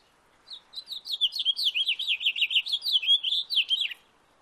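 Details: House finch in a backyard sings a sustained warbling phrase of roughly three and a half seconds, many quick looping notes strung together and ending in a falling slur, very clean and close.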